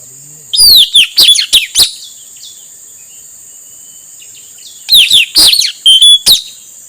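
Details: Lure song of a male puling (nuri tanau) for attracting wild birds: two phrases several seconds apart, each of five or six piercing whistles sliding downward, one ending on a flat note; constant thin hiss throughout.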